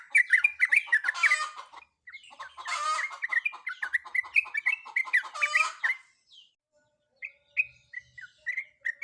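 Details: Female sooty-headed bulbul in breeding condition calling to a male: bright bubbling phrases of short whistled notes around the middle-high range, rapid and uneven, with bursts of harsher chatter, then a brief pause and a few sparser notes.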